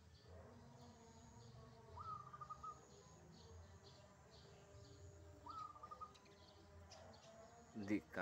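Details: Wild zebra dove perched on a cable in the morning, answering a caged bird: two rapid trilled coo phrases about three and a half seconds apart, over low hum and regular high pulsing, with a louder clatter at the end.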